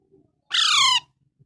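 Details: Young parrot giving a single loud, raspy half-second squawk that starts high and falls steadily, harmonic-rich and grating, against near silence.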